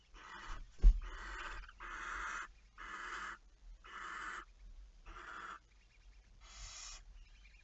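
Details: Barn owl at night on 11 May 2019: a run of seven rough, hoarse hissing screeches, each about half a second, coming nearly every second, with one sharp knock near the start.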